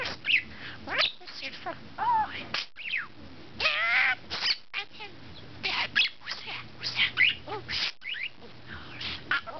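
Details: A male budgerigar warbles to his female mate while courting her, in a rapid, chattering stream of squeaks, clicks and rising chirps.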